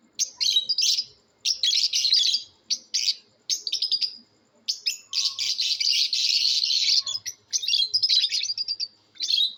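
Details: Lovebirds calling against each other in a natural sounds competition: clusters of shrill, rasping chirps, then a sustained run of dense, harsh chattering before shorter screechy bursts.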